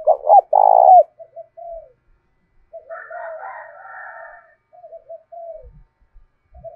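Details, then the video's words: Decoy spotted dove with the 'thổ' voice style, cooing to make wild doves coo along. A loud stuttered coo phrase opens, soft coos follow, and a rooster crows in the middle. "Chim Cu Mồi Gáy Kích Chim Gáy Hiệu Quả Hàng Ngày, cu gay kich boi nhanh noi gù"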